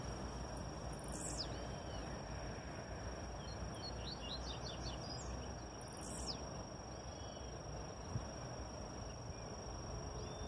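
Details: Wild blue-black grassquit giving two high, sharp, sweeping notes about five seconds apart. Softer chirps from other birds fall in between, over a steady background hiss.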